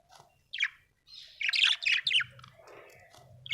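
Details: Happy budgie chirping: a brief chirp, then a rapid chattering burst of buzzy, descending notes, fading into softer murmuring chatter.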